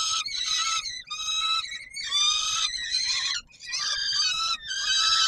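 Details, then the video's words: Peregrine falcon at feeding time on Warsaw's Palace of Culture and Science, 17 July 2022: nearly continuous hoarse screaming, the calls rising and wavering, with only one brief lull. "Sokół wędrowny PKiN Warszawa - Chłopaki wstawać kolacja"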